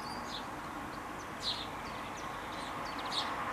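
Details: Young house sparrows (Passer domesticus) give begging calls while being fed by their parents: short, high, scattered chirps, several in quick bursts, over a steady rumbling background like distant traffic.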